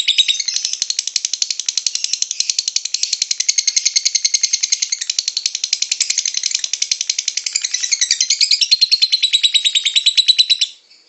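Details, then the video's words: Lovebird singing used as a lure to make other lovebirds sing, a long continuous rattling trill of rapid harsh pulses, high and buzzy, holding steady for about eleven seconds before stopping abruptly. "MEMANCING BURUNG LOVEBIRD, PASTI BUNYI MENDENGAR VIDEO INI.. LOVEBIRD SINGING"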